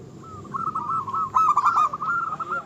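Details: Zebra dove of a local strain in active song, meant to anger rival birds and stir their breeding mood; one continuous run of quick, bubbling coos that swells to a louder burst midway, with steady low hum behind.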